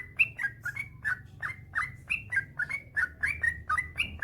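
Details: Yellow-vented bulbul chattering in the long 'ropel panjang' style from a master recording made to get other bulbuls singing. Quick, bouncy warbled notes repeat about three times per second, evenly loud.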